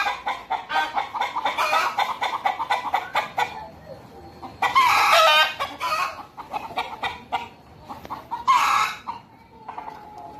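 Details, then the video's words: At Deokso Natural History Museum, chickens (hens and roosters) cluck in quick, rapid bursts for a few seconds. Quieter gaps follow, broken by two loud squawking outbursts. "떠드는 닭들"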